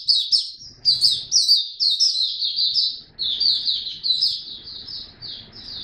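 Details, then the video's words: A white-eye sings on 3 November 2022, a fast, continuous run of high, thin chirps and twittering notes in bursts of about a second, with faint room noise below. "Mata Puteh Buka Sing"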